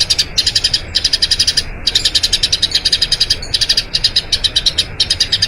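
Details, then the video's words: Eurasian tree sparrow's ngerol panjang, a long rolling song used to train other birds, delivered here as bursts of quick, high, repeated chirps separated by short silent gaps. "Masteran Burung Gereja Ngerol Panjang"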